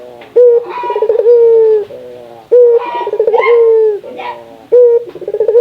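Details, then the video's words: Spotted dove from Indonesia (puter lokal) calling so other doves will call more: three phrases, each a sharp opening note, a quick quavering trill and a sustained coo that trails lower. "Suara burung puter lokal gacor, merangsang burung puter agar rajin bunyi"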